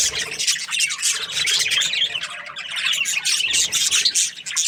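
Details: Budgerigars, breeding pairs in an aviary, fill the air with loud, dense, high-pitched chattering and scratchy chirps, rising and falling in waves.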